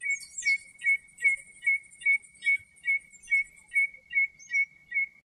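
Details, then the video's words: Common redshank singing in its natural surroundings in Greece: about a dozen clear, slightly rising whistled notes repeated evenly at a quick pace, with thin high twittering above at the start. "Κοκκινοσκέλης - Το Κελάηδημα του Κοκκινοσκέλη - Common Redshank Singing"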